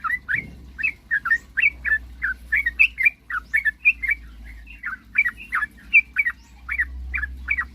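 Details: Sooty-headed bulbul in lively full song, used to lure rival birds into quick singing: short liquid whistled notes, some rising and some falling, repeated about three per second in a steady run, with a low hum beneath.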